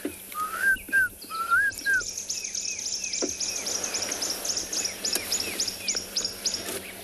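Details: On a sunny morning game drive on 30 October 2020 in a South African private game reserve, Klaas's Cuckoo calls in the background with short, rising whistled notes in a quick series, while other birds add thin, high chips.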